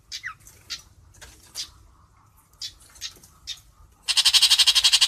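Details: A long-tailed shrike (Lanius schach) sings to call its flock, giving harsh, scratchy notes about once a second, then a loud, rapid, buzzy chatter near the end.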